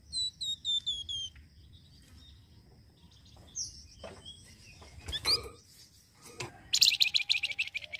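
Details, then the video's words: Flamboyan bird used to lure other birds: a few descending whistled slurs, scattered sharp clicks and notes, then a fast bright trill of high chirps at the end. "FLAMBOYAN YANG RECEH BUNYI..BAGUS UNTUK PIKAT BUNYI AGAR CEPAT RESPON"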